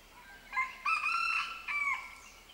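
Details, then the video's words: Indian Junglefowl calling in the background while a male and female Kalij Pheasant pair bill each other; a crowing call in three linked harmonic sections of about two seconds, opening with a short note, then a level middle and a falling end. "One can hear an Indian Junglefowl calling in the background audio."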